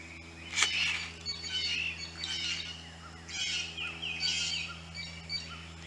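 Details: Blue jays at a birdbath: scratchy, slurred calls come every second or so over a steady low hum, some notes sliding downward.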